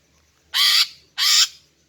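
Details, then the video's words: Two harsh, broad buzzy rasps about half a second apart, a female greater green leafbird call used to lure males. "Memikat dan Memancing Burung Cucak Ijo Jantan dengan Suara Betina Ini"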